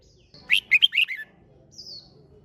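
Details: Red-whiskered bulbul delivering one competition-style phrase (hót đấu), five rapid, sweet warbled notes descending slightly, followed by a thin high drawn-out note and soft background murmur.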